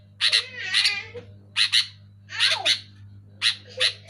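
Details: Kutilang (sooty-headed bulbul) calling loudly: grouped harsh chirps, some with a nasal, wavering tone and descending slurs, in clusters about a second apart over a low steady hum.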